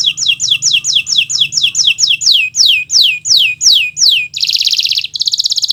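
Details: Gacor canary, Kenari Nusantara, singing for use as a tutor recording: a long series of descending whistled sweeps that slow slightly, followed by two dense buzzing trills.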